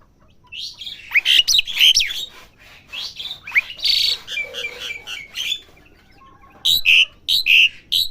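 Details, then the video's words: Asian pied starling chick learning to sing, mixing chattering, scratchy notes and loud whistled slurs, then after a short gap a run of bright repeated whistles. "jalak suren belajar bunyi"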